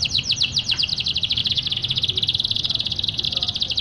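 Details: Caged canary singing a loud, energetic song, used to stimulate lazy canaries into singing; a fast, even trill of high rapid notes repeated about ten times per second throughout, with a faint low hum underneath.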